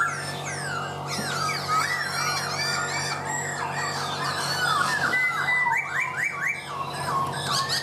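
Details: Busy, exuberant laughingthrush song of rapid, varied whistles and chattering slurs, with a run of quick up-sweeping notes repeated near the end, all over a steady low hum.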